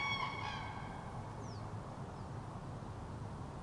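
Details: Common crane in autumn 2023 giving a short, bugling, harmonic call at the very start, followed by steady background rumble and two thin, high, descending whistles of small birds.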